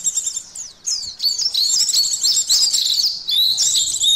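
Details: A kept oriental white-eye (pleci) pours out a rapid, high, twittering song of thin slurred notes, nearly continuous and jumbled. The recording is a test of its nerve, aggression and breeding arousal, played until the bird opens its beak.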